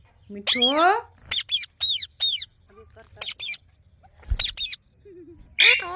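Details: Ring-necked parakeet talking: harsh, stacked squawks and short chattering syllables in quick bursts, ending on a loud rasping cry, with the bird's chatter dominating throughout.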